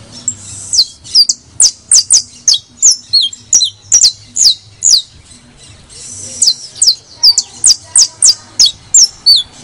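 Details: Criollo saffron finch (canario de tierra) song used to encourage singing: a steady run of high, piercing, slurred chirps at a quick pace, easing briefly midway before resuming, over a faint low background hum.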